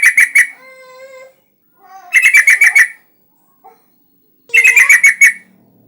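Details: Yellow-vented bulbul singing energetically, used as a lure to prompt other bulbuls to sing; three bursts of rapid, chattering, harmonically rich notes, separated by a few lower, steady whistled tones.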